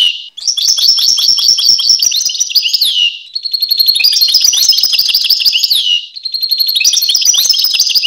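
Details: Singing European goldfinch delivers three bursts of rapid tinkling twitter, each about three seconds long, mixing quick chirps, buzzy trills and down-slurred notes, separated by brief pauses.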